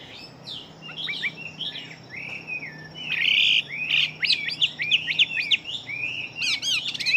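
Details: Fast-singing fighting Chinese hwamei, heard softer at first, then building into a dense jumble of rapid whistles, sharp upward sweeps and chattering trills.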